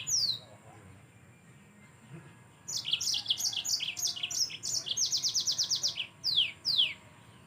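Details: Yellow-fronted canary opens with one high downslurred note, then after a quiet gap bursts into fast, high-pitched chattering phrases and a buzzy trill, ending with two sharp descending whistles.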